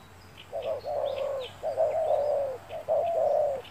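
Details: Spotted dove cooing during trapping with a lure bird on a sunny day: three low, mellow coo phrases, each a short note running into a longer wavering one, with faint high chirps from small birds behind.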